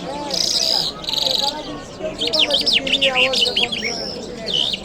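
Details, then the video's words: Jal mashhadi lark from Kabul, Friday morning: two buzzy rattling bursts, then a quick run of sharp descending and rising whistled notes, over faint lower background sounds. "Jal Birds Sounds | Lark Singing | جل مشهدي | طرقه | قزالاق | صدای جل مشهدي برای مست کردن"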